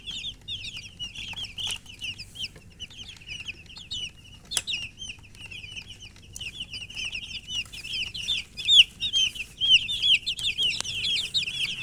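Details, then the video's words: Many chicks thirsty for water give rapid, high-pitched peeps about once a second per bird, building to a louder and denser chorus toward the end, with a few sharp clicks. "Murgi chicks Chirping sounds with thirst for drink water"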